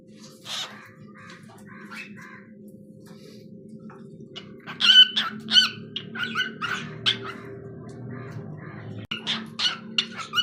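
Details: Pet cockatiel singing: a quiet opening of scattered chirps over a steady low household hum, then livelier whistled and warbled notes in uneven bursts through the second half.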